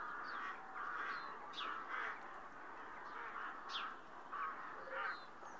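A rookery chorus of harsh, grating caws from many birds overlapping almost continuously, with a few higher squeaky notes mixed in.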